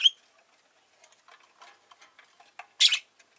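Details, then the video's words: A pet rosy-faced lovebird gives a short chirp at the start, then soft clicking and shuffling, followed by a loud, harsh double chirp near the end. "Lovebird Chirping Sounds"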